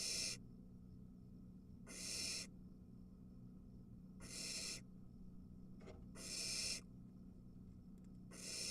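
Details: Barn owl nest with three nestlings as an adult brings a mouse; long rasping hisses about half a second each, spaced around two seconds apart, with a faint click and constant low hum.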